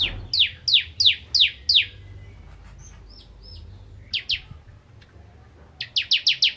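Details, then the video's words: Bar-winged prinia singing in a vigorous 'nembak ngentrok' style: bursts of five, then two, then five sharp, high, downslurred notes in rapid succession, separated by short pauses, with faint low background hum. "Ciblek Kristal Gacor Nembak Ngentrok"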